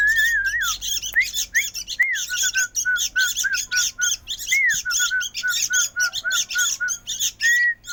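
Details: Young sooty-headed bulbul calling insistently with quick, scratchy chirps, many short bursts in a row, while brief flat whistles repeat among them.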